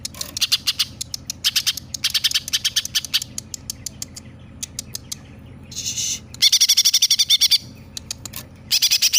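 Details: Greater green leafbird in full song, mimicking sparrow, tailorbird and other birds; quick runs of sharp repeated chips, a short scratchy rising note near six seconds, then a loud rapid chattering run and a final burst.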